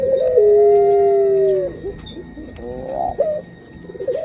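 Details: A female puter pelung dove ready to lay eggs opens with a long, smooth, slightly falling coo of about a second and a half, followed by trembling shorter notes and a quieter final coo.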